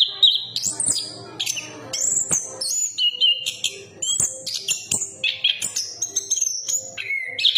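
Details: Varied song of a chestnut-capped thrush: sweeping and level whistles, some long and held, others short and sliding, with occasional sharp clicks in between.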